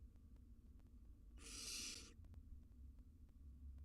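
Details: Wild barn owl nestlings in a monitored nest box, grooming each other; one broad rasping hiss of under a second rises out of a steady low hum, with faint ticking in the background.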